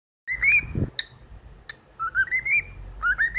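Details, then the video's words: Pet cockatiel singing "If You're Happy and You Know It": clear whistled phrases, a long rising and falling note, then short rising whistles in quick succession after a brief pause, with a low thump early on. "singing If youre happy and you know | Cocktiel"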